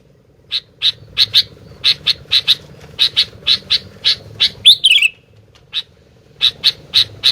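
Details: Sooty-headed bulbul in full voice gives quick sharp ticking notes in a steady series, then a brief bright whistled flourish falling in pitch, then more chips over a faint humming background.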